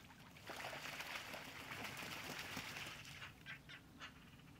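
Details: Muscovy duck at fishponds in the Draga valley, recorded 4 February 2024, gives a long breathy hissing sound lasting a few seconds, followed by three or four short raspy puffs in quick succession.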